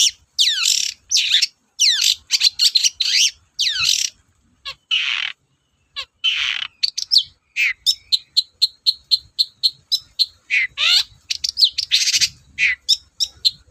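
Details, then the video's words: Long-tailed shrike in full, vigorous song, used as a lure to stir reluctant shrikes into singing: fast run of steep down-sweeping whistles and harsh buzzy notes, then a brief pause and a long series of short sharp chips and trilled phrases. "BURUNG CENDET GACOR DORR, BIANGNYA PANCINGAN CENDET LOYO"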